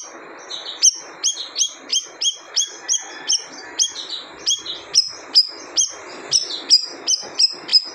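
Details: Siri-siri bird calling in a steady run of piercing, sharp chirps, each note starting high and dropping quickly, repeated about every third of a second against background hiss.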